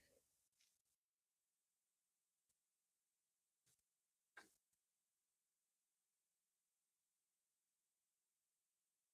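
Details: Near silence with a faint voice-like sound at the start, then scattered soft clicks and taps in a small quiet room.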